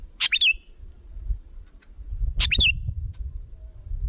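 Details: Sooty-headed bulbul lure call to bring in other bulbuls: two short bursts of bright, falling whistled notes about two seconds apart, against steady low rumbling noise.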